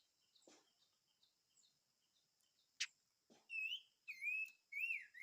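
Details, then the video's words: Five-coloured bird (chim ngũ sắc) song: after a few faint ticks and clicks, three loud, clear whistled phrases arrive in quick succession, each sliding down then up, with a steady faint hum behind. "Chim Ngũ Sắc Hót - tiếng chim ngũ sắc hót"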